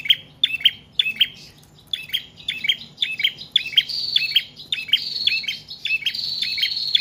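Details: Prinia in nonstop song, used to lure wild birds and train captive ones: rapid doubled chirps, near 107 per minute, later overlaid by a thin, sustained high whistling tone.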